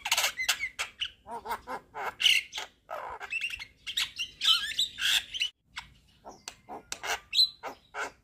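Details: Javan myna singing actively with head-bobbing, full filler phrases: dense harsh chatter with ringing whistled notes, a short silence, then sparser clicks and a bright whistle.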